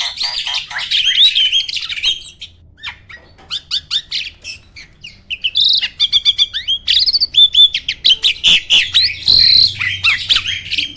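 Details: Contest starling in a cage sings a loud, fast song filled with mimicked phrases: dense bursts of chattering, whistled and rattling notes tumble over one another almost without pause.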